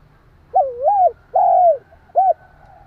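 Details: Spotted dove cooing to provoke and stimulate a wild dove: a low two-part warbled coo, a long sliding coo and a short final note, all mellow and hollow, against quiet background hum.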